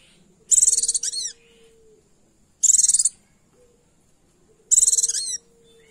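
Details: Female Oriental white-eye calling to males, used as a lure to provoke male song: three very high, rapid chattering bursts, each under a second and about two seconds apart, over a faint steady low hum.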